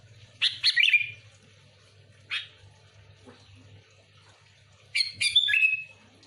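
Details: Sooty-headed bulbul giving sparse bursts of song for luring other bulbuls: a bubbly whistled phrase, a lone sharp note, then a longer descending gurgling phrase after a quiet gap, with a low background hum and faint knocks.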